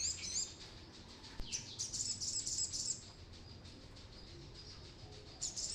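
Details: Vigorously singing brown-throated sunbird, used as a lure for training birds; short bursts of shrill, high, rapid chirps, a brief one at the start, a longer run in the middle and another at the end.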